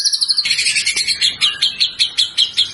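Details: White-rumped shama song used as a training model for other birds: a short high sustained phrase, then a run of sharp, evenly spaced chipping notes repeated about five times per second.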